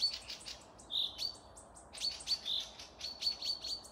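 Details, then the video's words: Bird chorus from forest near Panika, Torzhok district, Russia, recorded 12 May 2024: fast high chirps and clicks with a few clear, slightly lower whistled notes and one sustained thin whistle toward the end. "пение птиц"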